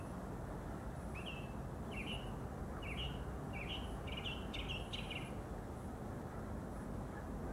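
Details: Mockingbird singing early in the morning from a neighbor's tree about 50 yards from the house: a run of short whistled, slurred phrases repeated about every half second, quickening toward the end, over steady low rumbling background noise.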